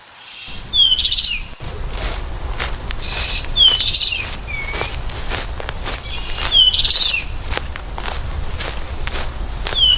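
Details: American goldfinch repeating a whistled downslur and bright chattering burst about every three seconds, with scattered ticking and pattering sounds and steady background noise.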